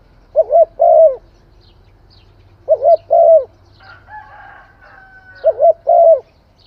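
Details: Spotted dove giving three evenly spaced coo phrases, each a quick double note and a drawn-out coo. A thin whistled note from another bird sounds between the second and third phrases.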